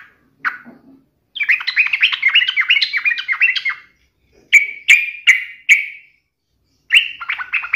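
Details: Yellow-vented bulbul, gacor and teasing a rival to provoke an emotional reply: bubbly, liquid warbled phrases with quick rising and falling notes, a long chattering run followed by separate short bright notes with pauses between.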